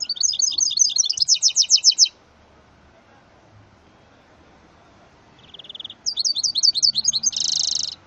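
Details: Goldfinch × canary hybrid (mule), bred from a male goldfinch and a female canary, singing rapid high pulsed trills for two seconds, then a pause, a short dry buzz, renewed chattering trills and a loud dense buzzy phrase at the end.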